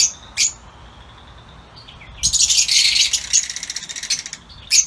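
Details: Lutino Fischer's lovebirds in an outdoor aviary: a single shrill chip, a quiet pause with faint squeaks, then a long burst of harsh, high rattling chatter ending in another sharp call.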